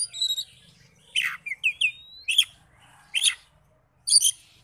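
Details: Oriental magpie-robin song used to stir rival magpie-robins, made of separated harsh scratchy bursts and a single upslurred whistle, spaced roughly a second apart.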